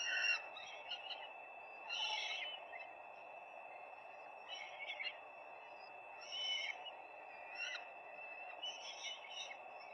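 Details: Peregrine falcons at the nest on 4 May 2025, live view: five or six short, rough, squealing bursts spaced roughly one to two seconds apart, over steady background hum.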